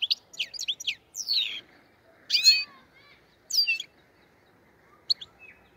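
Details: Black-headed goldfinch from the Andijan, Kuva and Fergana area giving scattered high twittering phrases and slurred, descending chirps, with gaps of about a second between short bursts in an otherwise quiet setting.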